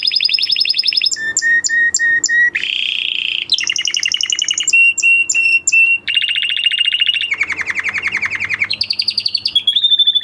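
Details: Excited male canary pouring out a long varied song: whistled tones, repeated short notes, dense buzzy rolls and fast trills that change every second or two with almost no pauses.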